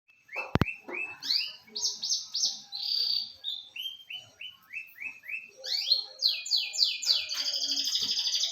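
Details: Domestic canary singing: a sharp click, then series of clear down-slurred notes repeated about twice a second in changing pitches, shifting into faster buzzy rolls and a high, continuous rattling trill at the end.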